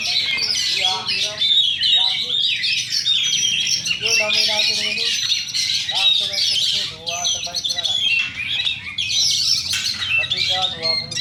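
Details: Kacer magpie-robin pouring out a loud, varied song of whistled slurs, trills and harsh squawky notes. Repeated lower chattering bursts and some voices sound in the background.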